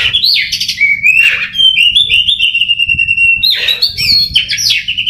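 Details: Contest-ready Oriental magpie-robin gives a loud song with a long, smoothly sliding whistled note between harsh buzzy bursts and bright chirps, over a steady low background hum.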